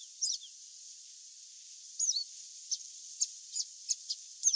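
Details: Free-living chestnut seedeater in song: a high slurred whistle, then after a pause a short twittered phrase and a series of sharp, clipped high notes spaced roughly every third of a second.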